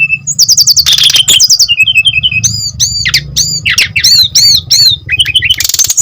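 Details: Energetic brown-chested jungle flycatcher song meant to provoke other birds to sing: short high whistles, fast stuttering notes and loud downslurred chips repeated in quick succession, with a low steady hum underneath.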